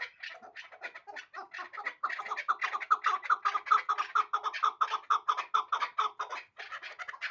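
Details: Hybrid chukar partridge, a bird from last year's brood, delivering a quickening chatter of clipped, scratchy notes. The call grows louder after the first two seconds and breaks off briefly near the end.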